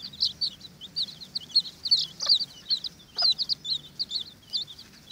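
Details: A jostling group of Watermaal bantam chicks fights over an earthworm, with busy, shrill, twittering peeps overlapping throughout and two short scratchy noises.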